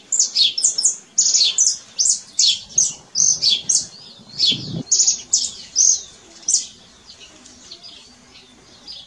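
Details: Canary singing in nature: rapid rhythmic bursts of high twittering notes repeated in quick succession for several seconds, then the song stops and only quiet background remains.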